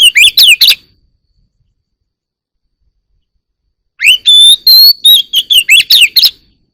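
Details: An Oriental magpie-robin sings in the morning, delivering two bursts of bright whistled notes separated by about three seconds of silence; the second phrase runs through a steady high whistle into a fast, jumbled series of sharp chirps.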